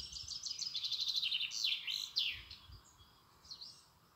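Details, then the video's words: European robin singing close by, a run of rapid high trills and thin sliding whistles, then descending and rising sweeps, with softer high phrases after a pause; quiet background. "Rotkehlchen singt für mich ein Geburtstagslied!"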